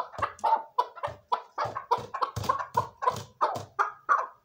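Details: Chukar partridge calling in a fast, rhythmic series of harsh, clucking chuk notes, about three per second, each with a short tonal edge, delivered steadily for several seconds.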